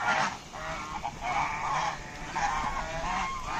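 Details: Native domestic geese, known locally as raj hash, giving harsh nasal honks in quick overlapping bursts, with several calls stacked close together across the whole stretch over a steady hiss of background noise.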